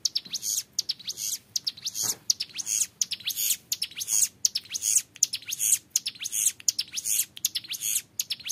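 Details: Young hill prinia (ciblek gunung) in full song in the long ngebren style: dense, high, rapid sharp notes packed into continuous rattling bursts, with brief pauses between phrases and a faint low thud near the start.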